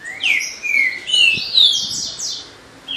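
Double-collared seedeater singing a quick, varied song of high, slurred whistles and buzzy notes, several dropping in pitch, delivered in close bursts over three seconds.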